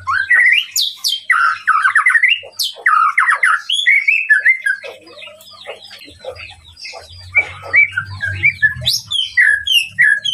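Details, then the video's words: Song of a White-rumped shama intended to stir up a rival: bursts of loud rising whistles and fast trilled runs, a quieter stretch of chirps, then sharp high notes return. "masteran murai batu untuk memancing emosi lawan"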